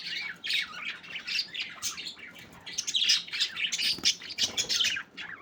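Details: Several budgerigars at play, giving a busy, continuous chatter of high, scratchy chirps, short squawks and warbled notes that overlap and swell in bursts, with no other clear sounds.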